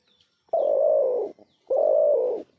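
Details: An unidentified bird gives two drawn-out, rough, low cooing notes, each close to a second long, separated by a short pause, with faint thin chirps in the background.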